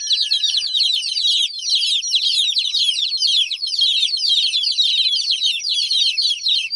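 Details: Baby chicks chirping in a dense, continuous chorus of high overlapping peeps, many birds calling at once with no pauses.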